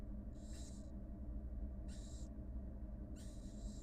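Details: On a live nest camera, a wild barn owl mother feeds two newly hatched nestlings while three harsh, airy hisses sound about every one and a half seconds over a low continuous hum.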